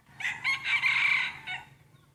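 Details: Main breeding rooster crowing during its first crowing contest; a strong crow begins with two quick rising syllables, swells into a long steady note, then ends with a short clipped tail, with faint low background hum.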